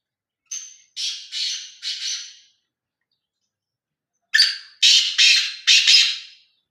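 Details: Black francolin giving two loud, grating call phrases: a thin piping note followed by three rasping buzzy notes, then after a pause a sharp opening note and three harsh scratchy notes in quick, even rhythm.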